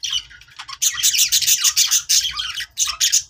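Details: Budgies chattering happily, played to make other budgies sing: dense, fast warbling of scratchy chirps and squeaky notes, short bursts packed closely with brief gaps, a soft low hum underneath.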